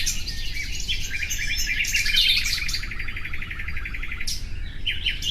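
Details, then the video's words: Common nightingale singing a long, accelerating run of rapid repeated notes and chattering trills, ending with short sharp whistles, over a steady low hum. "Bülbül sesi"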